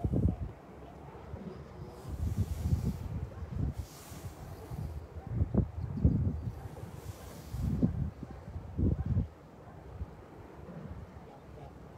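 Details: Wind buffeting the microphone in low rumbling gusts, with faint rustling and no animal calls.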